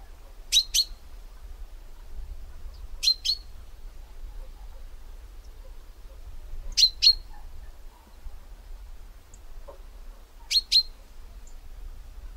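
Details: Chaffinch calling with brief, bright double chips repeated at uneven intervals of roughly three to four seconds, four pairs in all, against faint low background hum.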